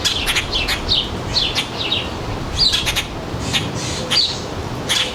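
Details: At a suburban backyard feeder in northern New Jersey, July 2022, around 4 p.m., with sparrows, finches and other species present: busy, overlapping high chirps and tweets in rapid bursts over low traffic-like rumble.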